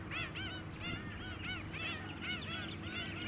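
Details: Flock of White-headed Stilts on mudflats at Scarborough, Queensland, in July 2017: loud yapping calls repeated about every half second, several birds overlapping, with faint low background noise.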